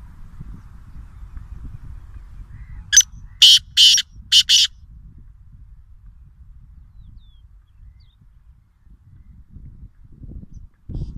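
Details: Black francolin, locally called kala teeter, calling at a farm house in Nawabshah: one loud burst of four harsh, rasping broadband notes in quick rhythm, the last two close together, over a quiet low rumble.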